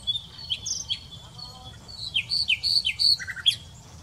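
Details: Common nightingale song with scattered high chips leading into a rapid series of slurred, downward whistles, then a brief lower rattling trill and a final rising note.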